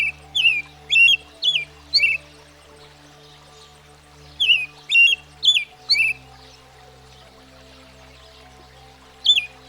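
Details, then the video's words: American Robin, a common American backyard bird, singing clear whistled caroling phrases: a run of five short rising-and-falling notes, a pause of about two seconds, another run, then a single note, over a faint steady background drone. "American Robin (Turdus migratorius)"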